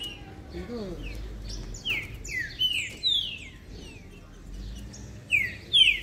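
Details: Green-winged Saltator (trinca-ferro) in breeding condition singing a mixed-style 'misticinho' song: sharp, bright downslurred whistled notes in irregular bursts, building to louder phrases at the end, over a low background rumble with faint talk.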